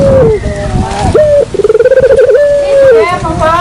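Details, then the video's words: Lure call of a dove: a low sustained coo, a short gap, then a rapid rolling trill leading into another drawn-out hooting tone, all close and loud. "suara pikat burung puter"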